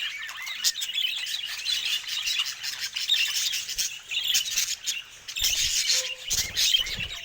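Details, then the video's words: Budgerigars talking and singing as a flock, steady scratchy warbling and chirping chatter with occasional louder squawks and a brief low whistle near the end. "Budgies Talking & Singing"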